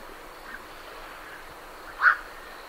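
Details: A night heron calling as birds leave the roost, great reed warblers behind: one short, abrupt, hoarse croak standing out over quiet background hiss.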